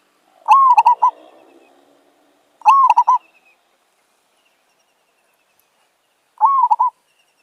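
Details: Three zebra dove phrases from a village bird met during decoy trapping. Each phrase has an upswept opening coo and a fast rattle of short notes, with longer gaps between later phrases and faint low murmur after the first.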